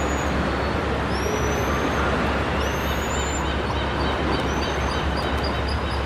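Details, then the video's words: A very noisy pigeon guillemot on the coast behind Cannery Row, where the sea hits the buildings, gives thin, very high whistles, some rising and some drawn out, every second or so over steady loud surf and wind. "Pigeon guillemot calling"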